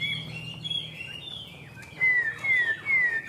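A Chinese hwamei gives soft, rambling high warbles, then three clear, loud whistles slurring downward, about half a second apart.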